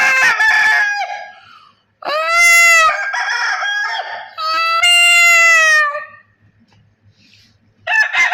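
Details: Poultry farm in Pakistan with chickens crowing one after another: a rough opening call, then three sustained crows in quick succession, each held steady before falling off. A short quiet gap follows before another crow begins.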